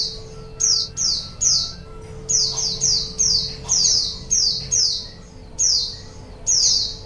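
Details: ['Lure sound for wild white-eyes: about a dozen sharp, high descending chirps, often in quick pairs, repeated roughly every half second to second, with a low constant hum beneath.']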